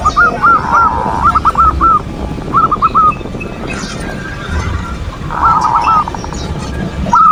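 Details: Perkutut, a zebra dove, in manggung song to bait opponents and arouse breeding urge: runs of arched staccato coos, rolled longer phrases at start and later, over noticeable low background noise.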